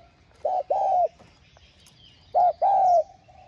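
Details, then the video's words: Spotted dove voice used to get doves cooing. Two matching phrases about two seconds apart, each a clipped low hoot followed by a longer, smooth, gently falling coo, over quiet background. "Tiếng Cu Gáy Giọng Hạp BổI Đủ Bài [GỌI + THÚC + GÙ ]"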